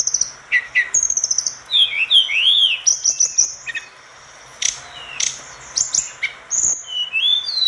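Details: Orange-spotted bulbul singing energetically, meant for tutoring other birds: stuttering chip series, then looping whistled slurs and sharp high notes in quick irregular bursts, with a brief quiet gap midway.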